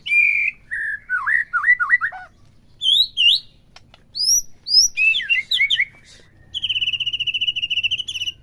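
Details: White-rumped shama song used to stir a caged bird to sing: a string of looping whistled slurs, rising upswept notes, then a steady rapid trill at the end.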